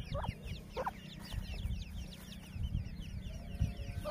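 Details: A family of Grey francolins checking for food in the jungle gives a few soft, short clucks, two close together near the start. Low rumbling handling noise and a thin wash of high chirping from other small birds sound underneath.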